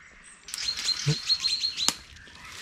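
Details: In May 2020 near Denisovo, Ryazan region, Russia, anxious adult chaffinches give short, high, thin calls in quick overlapping bursts as fledglings squeal after just leaving the nest. A soft thump and a click are also heard.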